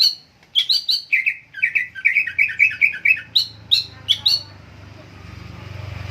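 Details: Greater green leafbird in full song: a fast run of bright, chirpy whistled notes, about three per second, shifting between a higher and a lower pitch, then silence with a faint hum.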